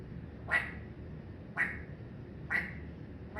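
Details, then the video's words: A pet parrot coughing: three short, rasping, breathy bursts about one second apart, each sharp at onset and quickly fading, over a steady low room hum. "PARROT MY BUDDY HIS LAUGHING TALKING AND COUGHING"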